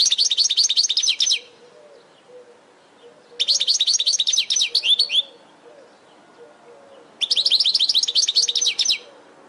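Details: European goldfinch singing for caged-bird training: three bursts of rapid, sparkling, jingling notes, each phrase about one and a half seconds long, separated by roughly two-second gaps.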